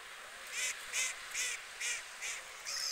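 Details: Loud rasping honks from white geese among UK water birds, six evenly spaced calls about 0.4 seconds apart, each a short nasal blare.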